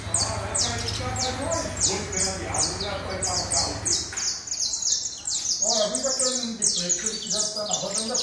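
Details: Canario da terra, or saffron finch, singing rapid high falling notes while a low steady hum runs through the first half and mid-pitched noise sounds later.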